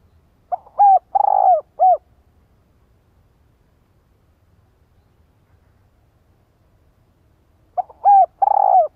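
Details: Decoy spotted dove calling to attract wild doves. Two three-part phrases about seven seconds apart, each a mellow coo, a long vibrating rolled coo and a short falling coo, in a quiet setting.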